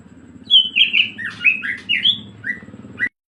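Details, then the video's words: Greater green leafbird in lively 'ngebren' song: rich, slurred whistles rising and falling in a quick run of about eight notes, cut off abruptly near the end. Steady low hum underneath. "CUCAK IJO GACOR NGEBREN"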